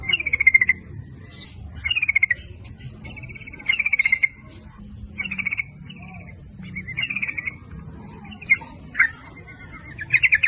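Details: Sooty-headed bulbul song used as a lure for males and females: short bubbly warbled phrases repeated every second or two, with thin high whistles between, over a steady low rumble of background noise.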